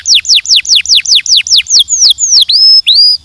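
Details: Singing canary delivers a steady series of spaced, high downslurred notes about five per second, then a few long swooping whistles that dip and rise before falling silent.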